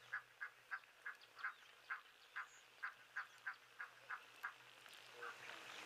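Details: Egyptian geese alarming at a nearby jackal that has come down to drink, 12 February 2023; a run of about a dozen evenly spaced clipped honks, then quieter calls fading into a steady background hiss.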